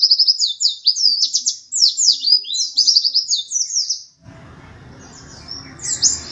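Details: White-eye of the pleci dakun type, a contest runner-up, delivering fast chattering high notes about four per second, then a gap filled with low background noise before a few more thin twitters.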